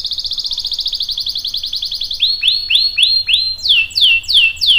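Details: Canary singing to prompt others: a fast trill of repeated whistled notes gliding lower, followed by spaced, loud, down-slurred whistles.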